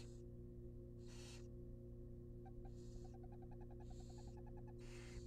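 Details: Wild barn owl nestlings in a monitored nest box being fed a rabbit: harsh broadband hissing bursts about every second, with a rapid ticking, clicking series in between, over a steady low electrical hum.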